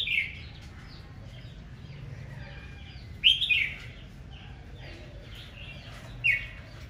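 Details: Red-whiskered bulbul in aggressive morning singing, roused to compete: three loud bursts of bright warbled whistles spaced a few seconds apart, with faint chirps from other birds and steady low background noise between them.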